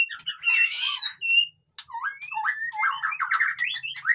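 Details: White-rumped shama singing noisily: a loud harsh buzzy burst, a short pause, then a quick series of sharp upward-sweeping whistled notes.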